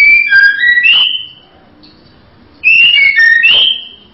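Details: Female white-rumped shama giving two loud whistled phrases, each a quick run of clear notes sliding between lower and higher pitches, separated by a quiet pause.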